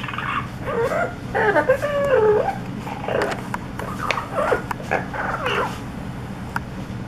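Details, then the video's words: Pet parrot imitating words and sounds, giving a series of wavering, voice-like whines and warbles that rise and fall in pitch, some broken into short bursts, with faint background noise. "LIKES TO IMITATE SOUNDS"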